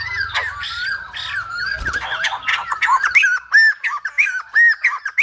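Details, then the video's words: Silver-headed babbler song described as lumba-dancer-like: a jumbled, warbling opening with low background rumble gives way to crisp, separate arched notes repeated roughly twice a second. "Khướu Đầu Bạc / Silver -headed Babbler / Singibg like aLumba Dancer."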